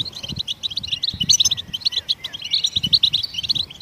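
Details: Goldfinch chirps in the wild, given to prompt other songbirds to sing, heard as clusters of sharp, tinkling twitter notes in short bursts with slight pauses between.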